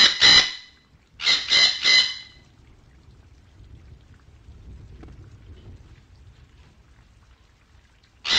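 A parrot gives harsh, raspy squawks: a single one, then a quick run of three, then a quiet stretch with soft background hiss before a final squawk.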